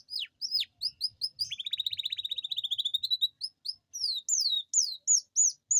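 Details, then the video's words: Canary song used to prompt reluctant canaries to sing, with long rolls: sharp falling whistles, a long rapid rattling trill, then varied high slurred notes repeated about three times a second. "Pancingan kenari gacor ngerol panjang dan pancingan kenari malas bunyi pasti"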